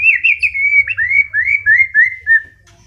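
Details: Long-tailed white-rumped shama, wild-caught, from Tegal: a loud run of clear whistled notes, each a quick downward slur, repeated about eight times in under three seconds and gently falling in pitch.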